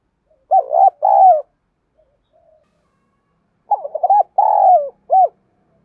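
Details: Spotted dove kept as a decoy to stir up other doves, thổ-style voice. The clip opens on the end of one cooing phrase. After a pause comes a complete one: choppy notes, a long burry coo and a sharp hooked ending.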